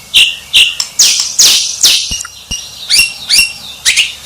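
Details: Champion white-rumped shama singing short high whistles and buzzy downslurred bursts with sharp clicks, repeated at a brisk, uneven pace.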